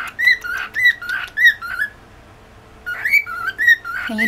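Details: A male pet cockatiel born July 2015 whistles a bright, warbling phrase of rising and falling notes to a new female born 3 August 2015, pausing about a second before resuming and ending with a harsh squawk; she does not whistle.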